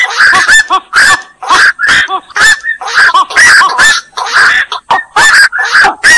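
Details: Steady run of coarse, barking croaks from black-crowned night herons, short harsh notes repeated with brief pauses, several birds seemingly calling together.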